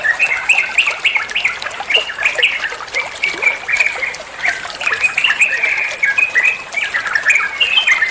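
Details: Yellow-vented bulbul singing in ropel style as a master song for other songbirds: dense, continuous warbling chatter of quick slurred notes with a trickling hiss behind it.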